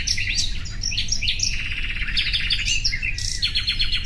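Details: Brief common nightingale passage: bright whistled notes and upward sweeps, then a quick stuttering trill and more sharp chirps, over constant low noise.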